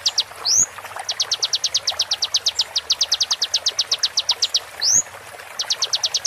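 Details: Konin tutoring recording with water therapy, slowed: steady high-pitched staccato notes repeated rapidly in long strings, twice punctuated by a short sweeping whistle that climbs in pitch.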